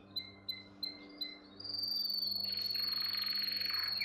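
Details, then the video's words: Canary singing to train young canaries: four spaced, clipped double notes, then a sustained high rolling trill joined by a loud, harsh, buzzy phrase near the end. "Most powerful song for training Canary"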